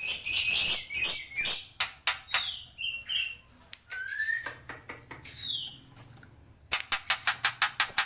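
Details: Black-winged myna (jalak pito, jalak putih) singing in the tembakan style: bursts of harsh buzzy chatter alternate with clear whistled notes, some sliding down and some held flat, in an uneven rapid pattern.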